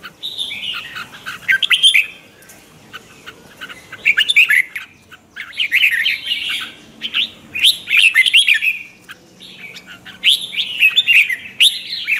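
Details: Red-whiskered bulbul singing at morning practice, used as a lure voice for training birds; rich warbling phrases of slurred whistles come in four or five bursts separated by short lulls.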